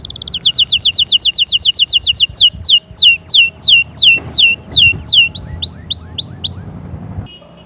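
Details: Canary song aimed at making chicks sing and readying females: a rapid run of short falling notes, then slower long downward whistles, then curved rising notes, ending in a brief soft tone.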